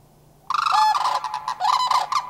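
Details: Sandhill Cranes, likely a family of two adults and a juvenile, answer cranes flying past, Far North Bicentennial Park, Anchorage, Alaska, May 1, 2011: loud rolling, rattling bugles burst out after a quiet start, with two overlapping phrases.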